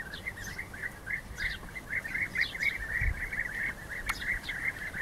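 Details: During rival fights, several European bee-eaters give a steady stream of rolling, liquid trilled calls that overlap, with faint higher chirps and a low outdoor rumble.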